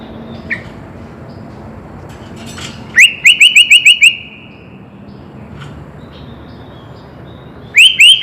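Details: Sooty-headed bulbul full song meant to make birds sing: after soft scattered notes, a run of six rapid upswept whistles, then a pause and another short burst of rising whistles at the end.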